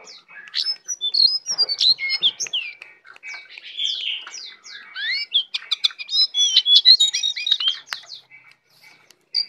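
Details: Tame, vocal brown prinia in full isian song, pouring out dense, varied high chirps, slurred whistles and twitters in fast continuous bursts with barely a pause.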